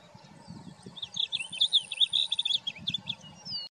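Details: A male Blue Grosbeak sings a rich, rambling warble of quick, slurred notes lasting about two seconds, over a low background rumble.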